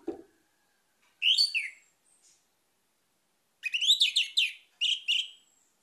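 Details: A brief thump, then Orange-headed thrush song: a slurred whistled phrase followed by a longer, loud, complex series of descending, rich notes.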